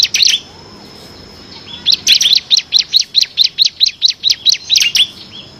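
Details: Bar-winged prinia in full song, delivering the rapid ngebren style with six variations, used as a master recording for training competition songbirds; a short burst, a pause, then an even train of about fourteen sharp high chirps.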